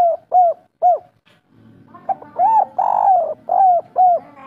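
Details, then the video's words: Spotted dove, local bird singing in the three-note kuk 3 style, used as a lure to get other doves singing: soft hollow coos, three short notes then a pause, then longer drawn-out rolling coos and more short notes. "Derkuku kuk3 lokal gacor ngamuk suara empuk raja pancingan"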